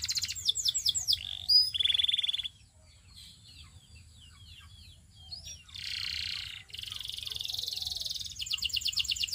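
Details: Belgian canary among other singing canaries: whistled notes and a ringing tone at first, then scattered faint chirps, followed by dense buzzy high trills.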